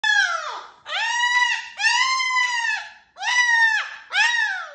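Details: Pet cockatoo indoors giving five loud, harsh, drawn-out screeches, each rising then falling, separated by brief pauses, the last ones shorter and cut off sharply; no other sounds.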